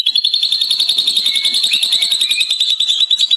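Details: Captive ashy drongo kept for training other songbirds, singing a lovebird-style long trill: a fast, even, buzzy rattle held high and steady throughout, repeated at about three and a half notes per second.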